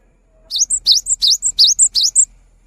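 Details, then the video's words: Cinereous tit singing gacor-style to coax silent tits: six bright, evenly paced double whistles, an upward slur then a high note, in a clear recording with only a faint low hum. "Gelatik Bisu Langsung Bunyi Setelah Mendengarkan Suara GELATIK BATU GACOR ini"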